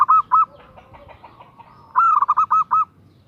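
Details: Female zebra dove calling to a male: two short clipped cooing notes, then after a pause a quick run of about five bubbling, rolling coos, all at one steady mid pitch.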